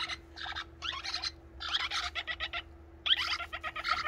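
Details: Young pet parrot, the youngest of the household, begging for food and still persisting even with a full crop: bursts of harsh, raspy, rapidly repeated notes in clusters, separated by short pauses, with a steady low hum behind.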